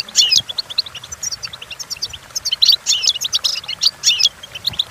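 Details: Goldfinch song intended to teach goldfinches to sing: loud, clear run of quick liquid chirps and twittered trills in rhythmic bursts, sharp and bright throughout.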